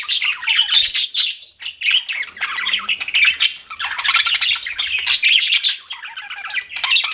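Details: Pet budgies chirping in a steady, dense chatter of grating warbles and quick rising and falling notes, several birds at once.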